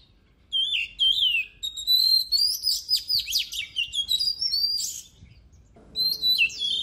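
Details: Oriental magpie-robin in full, lively song for contest voice training: a long rich stream of varied whistles, slurs and quick trills, pausing briefly before resuming with bright looping phrases over faint background noise.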